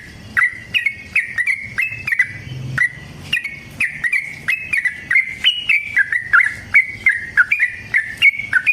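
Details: Vigorous yellow-vented bulbul delivering a long 'ropel' fighting song meant to spur other bulbuls: steady stream of bright, bubbling, slurred notes, each rising then dropping, coming several per second with few gaps.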